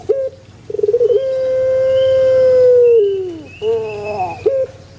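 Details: Pelung chicken crow: a quick stuttering start, then a long, smooth, sustained tone lasting nearly two seconds that bends downward, followed by warbling shorter notes.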